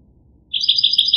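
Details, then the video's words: A short, fast series of bright, clear chirping notes from a goldfinch, evenly spaced and rapid, beginning abruptly after brief silence. "The Resonant Chirping of the Goldfinch Bird"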